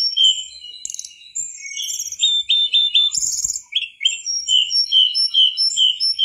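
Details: Constantly singing mangrove whistler on a tutor recording: strings of short high whistled chirps, a few repeated notes and one brief buzzy burst midway.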